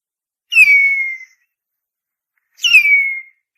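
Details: Harpy eagle, also called gavião-real, giving two loud, high whistled screams about two seconds apart. Each starts sharply, slides downward and levels into a drawn-out thin tone before fading, with silence between and no other sounds.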